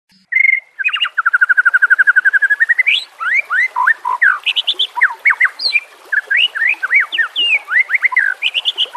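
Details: White-rumped shama song, used as a training recording for other shamas: a fast run of evenly repeated short notes, then a loud varied stream of sharp upslurred and downslurred whistles and chips.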